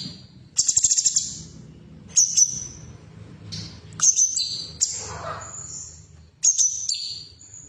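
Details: Female sooty-headed bulbul, played to get caged birds singing: a rapid stuttered high burst, then a series of piercing whistled notes that hold steady or drop in pitch, separated by short pauses over faint low background noise.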